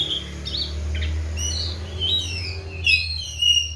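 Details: Kacer, or Oriental magpie-robin, kept on a diet of seven crickets and bathed morning and evening, sings varied thin high whistles and quick slurred notes against a steady low background hum.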